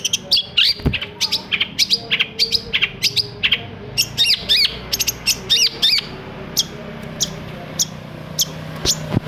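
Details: Song of a long-tailed shrike meant to rouse silent shrikes into singing day and night. It has bursts of sharp, high, chattering and whistled notes in irregular quick runs, then a few spaced single chirps, over a low background hum.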